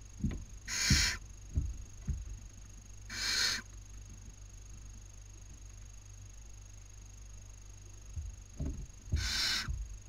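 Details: Nesting barn owl chicks filmed by a nest webcam in Cabañeros National Park, Spain, in the 2019 breeding season, squabbling over food. Three quieter rasping hisses come at irregular intervals, with scratching and knocking movement sounds in the nest box.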